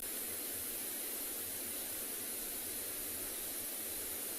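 Only a faint, even static hiss runs throughout, with no animal voice.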